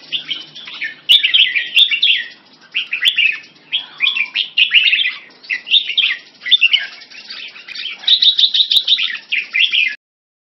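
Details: Caged Red-whiskered bulbul from Singapore, French molt, in a singing match with another bulbul and more birds. Lively, choppy warbled phrases repeat in quick succession for about ten seconds before stopping abruptly.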